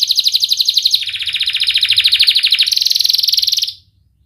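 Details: Lively canary singing, meant as a practice lure for young birds learning song: a sustained rapid trill that drops lower in pitch, then steps back up to a higher, brighter trill before stopping abruptly.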